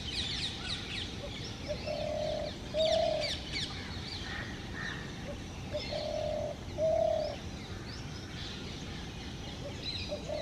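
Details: Male spotted dove cooing from a tree to attract a female for nesting; low, even coos in two paired phrases about four seconds apart, with scattered chirps of other birds and a steady background hiss.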